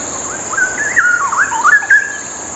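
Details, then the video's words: Straw-headed bulbul (cucak rowo) singing vigorously, a melodious song used as a tutor recording for training other songbirds. It gives a continuous bubbling, whistled warble that swoops up and down through rich liquid notes. A steady thin high tone runs underneath. "Kicauan Cucak Rowo Merdu Bikin Hati Adem"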